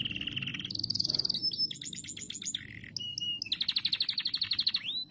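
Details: Canary song meant to prompt other canaries to sing: varied phrases of clear whistled notes and fast repeated trills, shifting between high steady tones and rapid pulsed rolls, with a faint low hum underneath.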